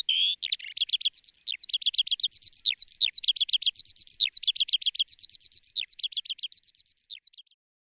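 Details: Woodlark, also called yula, delivers a brief opening warble and then a long, rapid series of repeated, evenly spaced high notes that fades gradually toward the end. No other sounds are heard.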